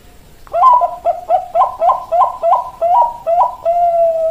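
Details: Zebra dove, Bangkok-type perkutut, giving a clear cooing song: a rapid run of about ten short, gurgling coos with rising inflections, each roughly a quarter second apart, ending in one longer steady coo; quiet indoor background.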